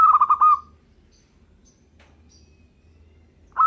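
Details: Zebra dove of local stock singing: one rolling cooed phrase at the start, about three seconds of near silence, then the next phrase just beginning.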